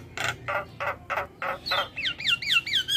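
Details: Starling song played as a lure for captive birds: six slow, hoarse, broadband notes give way to a string of bright, wavering whistled slurs, with a low hum in the background.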